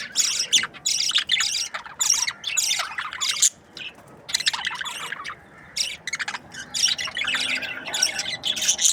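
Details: Budgerigars from breeding pairs chatter in long runs of high, buzzy chirps, broken by a brief lull midway before the busy chirping resumes.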